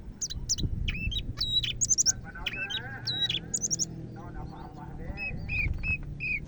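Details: Greater green leafbird from Medan in full, lively song: rapid bursts of high squeaky notes and buzzy trills, then a series of clear whistles toward the end, over a low background rumble.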